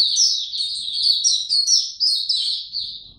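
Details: White-eye kept in a cage, singing on 29 April 2022 without health supplements: a continuous high-pitched warbling stream of quick chirps and trills, loud and unbroken, fading slightly at the end.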